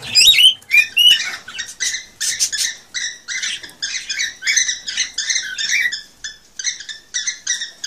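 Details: Cockatiel song played to stimulate birds to mate: a fast run of short harsh chirps with stacked bright overtones, opening with a few rising whistles, then repeated chatter notes about every half second.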